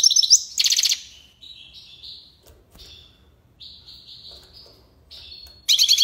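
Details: European goldfinch singing tiwawati and lipassade figures: a loud, buzzy, rattling burst, then a run of sustained thin whistled notes at steady pitch, ending in another harsh, dense trill.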